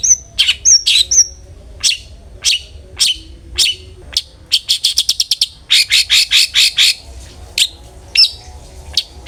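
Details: Cendet (long-tailed shrike) in lively "ngeplong" song as a lure for other shrikes; high whistles and harsh chatters opening into quick rattling runs of rasping notes, then spaced scratchy calls.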